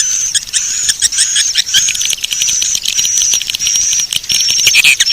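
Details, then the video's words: Swiftlets are lured with this Bangkit 18 call, a busy wash of high, ticking chirps and crackling clicks beneath faint sustained whistles, steady throughout without clear pauses. "Suara Panggil Walet Bangkit 18"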